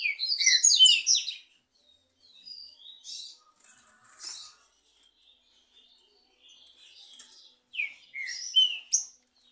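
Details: Two trinca-ferro birds duelling in song: an opening burst of rapid chirps, scattered soft notes and a long lull, then loud downslurred whistles near the end.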